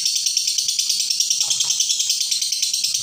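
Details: Unbroken ngekek from a lovebird, long chatter kept up as a tutor sound for training birds: shrill, fast-pulsed rattling chatter held at a steady high pitch, with a faint low sound briefly underneath.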